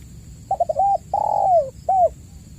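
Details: A single spotted dove coo phrase from a lure recording for caged doves that have gone quiet: three rapid clipped notes, a short coo, a long drawn coo falling at the end, then one short closing coo.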